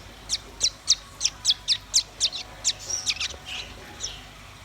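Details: Red-billed nuthatch and white-rumped shama song: a rapid series of about a dozen sharp, high, piercing notes, roughly four a second, fading into a few softer calls.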